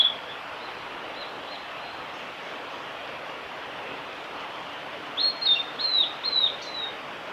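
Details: High whistled song of a male blue-and-white flycatcher at Lake Miyagase, Kanazawa forest road, Japan, 5 May 2018; after a long quiet hiss, a burst of three or four sharp, down-slurred whistles comes near the end.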